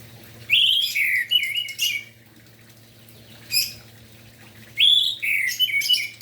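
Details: Orange-headed thrush singing in the morning to spur other orange-headed thrushes into song; two loud bursts of rich whistled and slurred phrases with scratchy high accents, separated by a lone sharp note amid quiet.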